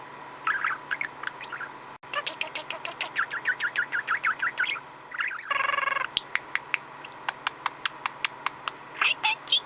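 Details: Pet budgerigar, male, chattering contentedly: a run of short warbled chirps and notes around the middle, a rasping buzzy burst, then a series of sharp clicking ticks, likely beak grinding.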